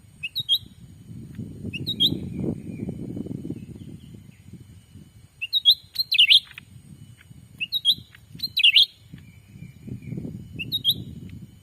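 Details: Sumatran forest lure call of the black-capped bulbul: brief upward-flicking chirp groups every two seconds or so, set against a continuous low rumble that rises and falls.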